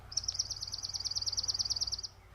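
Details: Chipping sparrow (Spizella passerina), song.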